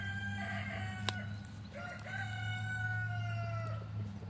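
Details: F3 Olive Egger rooster in a free-range backyard flock crowing: a drawn-out, harmonically rich call held steady for about two seconds, then dropping at the end, after a shorter broken opening note, over a constant low hum.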